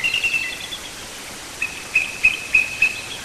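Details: On the Hancock County shore of Maine, bald eagles at a nest high in a white pine give a quick run of thin notes, then five sharp, evenly spaced high chips about every third of a second.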